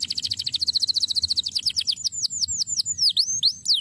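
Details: Canary singing a tutor song for training other birds: a fast, even trill of about twenty high notes, then a run of bright, sweeping, downslurred whistles repeated in quick succession, with a faint low hum underneath.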